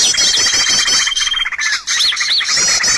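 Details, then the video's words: Lure recording of birds for trapping: busy high chirping and fast trills, a long steady thin whistle early on, a brief pause near the middle, then arched whistled notes and more rapid chatter. "SUARA PIKAT BURUNG paling d cari!!"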